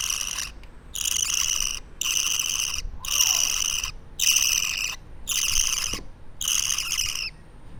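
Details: Two-week-old baby budgerigar, kept by hand for free-flight training: six harsh, raspy, hissing bursts, each under a second long and separated by short silences, with steady quiet room noise underneath.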